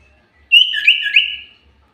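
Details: Common iora, used as a lure to prompt singing, gives one rich phrase of high whistles that step up and down, with a lower whistled strand beneath, lasting about one second.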